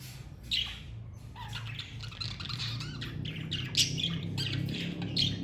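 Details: Pet budgerigars from a parakeet family give rapid, irregular, squawky short chirps, several each second through the whole stretch, above a steady low background hum.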